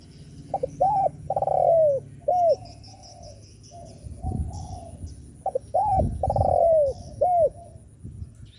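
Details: Spotted dove coos meant to provoke rival doves, heard as two loud phrases, each of short notes, an arched coo, a long falling coo and a rounded closing coo, with fainter coos and low rumbling between.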